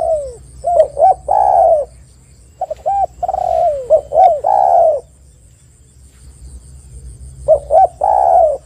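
Spotted dove giving soft, low cooing phrases: a few short hooting notes leading into a longer, drawn-out coo, repeated in bursts with pauses between.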